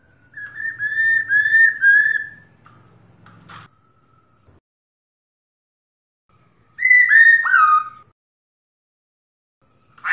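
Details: A female laughingthrush in breeding condition calls to a male, giving two bursts of clear, slurred whistles, each a quick run of mid-pitched notes, separated by a long pause over a faint low hum.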